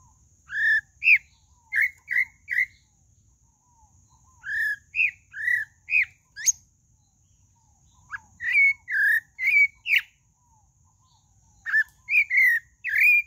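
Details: Repeated phrases from a pale-breasted thrush, locally called sabiá-do-barranco: clusters of three to five sweet whistled notes, some rising sharply, separated by gaps of a second or two, over a faint low rumble.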